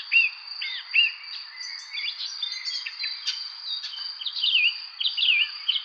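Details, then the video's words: Spring evening birdsong with varied twittering, whistled and slurred phrases from several birds, set against a constant high-pitched insect drone. "Relaxing evening spring birds chirping sound effect"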